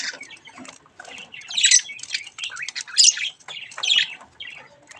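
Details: Budgerigar chicks playing with a mirror: scratchy warbling chatter broken by several loud, buzzy squawks and short whistled chirps.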